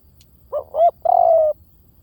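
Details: Decoy call of a spotted dove in the V18 style: a pair of quick hooked hoots, then a long, level, mellow coo that edges downward. Close and clear, with a faint click just before the call.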